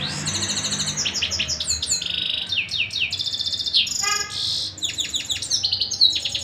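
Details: Canary singing continuously: rapid high trills and rolling trains of repeated notes, with quick downward-sweeping whistles and a brief buzzy, harsher phrase midway, the song running without pause over a quiet background.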